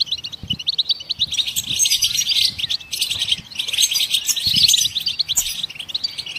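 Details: Lively goldfinch song meant to prompt other songbirds to sing, a continuous high jingling twitter swelling into louder, buzzier bursts near the middle and end.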